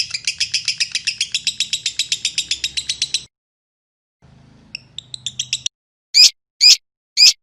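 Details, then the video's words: Lovebird training sound to prompt a response: a quick run of high, buzzy chirps, a pause with faint low hum, a few scattered squeaks, then three separate sharp shrieks. "masteran burung lovebird 5 detik nyaut"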